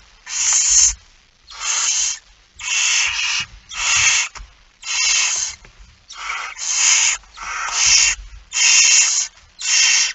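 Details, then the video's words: Begging barn owls at an early-morning feeding, 06:57 on 13 September 2019, It Fryske Gea; a long even series of rough hissing snores, roughly one per second, with soft thumps underneath. "Kerkuil It Fryske Gea 2019 09 13 06 57 voedering"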